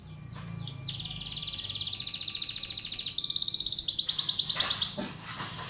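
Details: Canary singing in lure and training audio for contest birds and young birds: an extended high rolling trill that shifts pitch in steps, finishing with a burst of rapid sharp notes.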